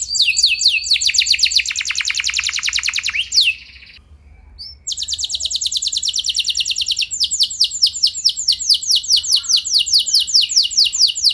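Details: Canary singing a long rolling song meant to provoke other canaries into replying: rapid high trills, a brief pause, then a sustained fast-repeating roll of sharp descending notes.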